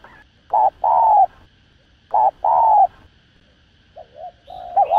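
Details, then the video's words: Spotted dove from Vietnam giving 'thúc gù' coos to excite decoy birds for trapping. Two paired phrases, each a short note and a longer downslurred coo, then softer wavering notes building into a new phrase. "Tiếng Chim Cu Gáy Thúc Gù Cực Sung Kích Mồi Kích Bổi Cay Cú"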